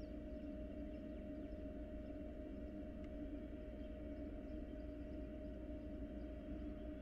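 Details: A constant low mechanical hum with steady tonal drone, and no animal sounds present.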